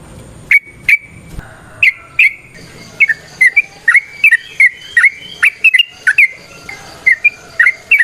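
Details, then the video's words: Yellow-vented bulbul (trucukan) singing in the nrotok and ngecuplik styles: irregular, well-spaced clear whistled notes, slurred up or down, sometimes in pairs, over a quiet background with a faint high tone. "Suara Burung TRUCUKAN gacor ROPEL VARIASI NROTOK NGECUPLIK"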